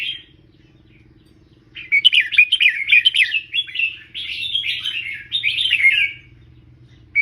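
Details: Tutor red-whiskered bulbul giving a "เบิ้ล3" style teaching song: after a quiet start, one long fluent phrase of rapid warbling, slurred notes lasting about four seconds, then silence with a faint steady low hum.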